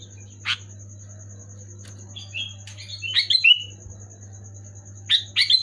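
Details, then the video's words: Sooty-headed bulbul singing to prompt quiet or moulting bulbuls: one sharp note, then soft rising whistles building into a bubbly slurred phrase, and a last loud burst of notes, over steady low hum and faint high whine. "Suara burung kutilang gacor keras jelas bikin kutilang omyokan macet malas bunyi auto bunyi gacor"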